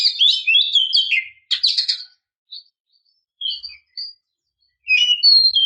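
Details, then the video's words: Oriental magpie-robin female calling to provoke males: a rich jumble of fast whistles and scratchy chirps, then scattered short clear whistled notes separated by pauses, ending with another burst of varied whistles. No other sounds. "kicau burung kacer memanggil - pancingan kacer agar bunyi"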